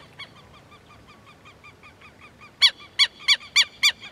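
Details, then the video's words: Southern lapwing: faint, rapid, distant-sounding nasal notes at first, then a closer run of six loud, strident, ringing calls spaced about a third of a second apart. "Quero Quero Cantando"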